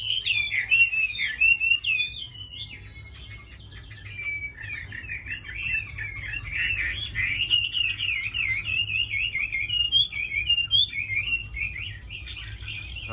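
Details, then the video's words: Long, continuous warbling from a tame Chinese hwamei kept as a fighting and singing bird: wavering, trilled whistles rolling on and on, with short drawn-out notes between rapid zigzag phrases and a quiet hum behind. "Mi thuần đấu tốt hót hay"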